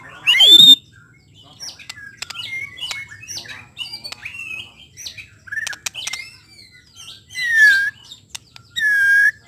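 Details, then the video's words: White-rumped shama song meant to provoke shamas into quickly unloading their repertoire: a loud sweeping whistle opens, then scattered short chirps, twitters and clicks, with two loud buzzy rolled notes near the end. "TERNYATA SUARA INI DPT MEMANCING MURAI BATU CEPAT BONGKAR ISIAN KURANG NGOTOT KURANG EMOSI"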